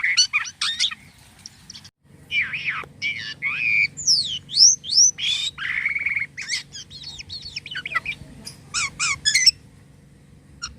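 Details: Jalak kapas starling in lively, unusual song: rapid chatter, looping up-and-down whistles, harsh buzzy passages and scattered squeaky notes, fading toward the end over a soft low hum.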